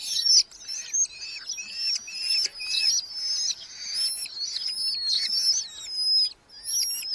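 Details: Red-footed falcon chicks in a nest box within a large breeding colony in Hungary, July 2025, fed mostly beetles by the parents; high, thin, harmonic whining calls overlap and waver almost continuously, with brief pauses and faint background hiss.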